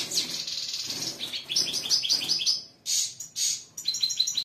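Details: A wild-type male Goldfinch × Canary hybrid (mule) in breeding-season song sings bright, high chattering phrases and rapid trills in quick bursts with brief pauses between them.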